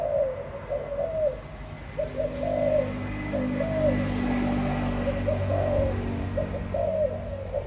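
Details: Low, rounded coos from a spotted dove, grouped into brief phrases roughly every second or two, the final note slightly drawn out, with persistent low hum in the background.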